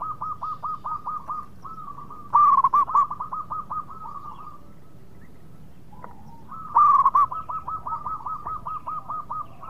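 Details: Lure song of a local zebra dove, a breeding bird, meant to make rival birds answer fast: long strings of rapid, evenly beaded coos, with louder phrases at two and seven seconds and a quiet pause between.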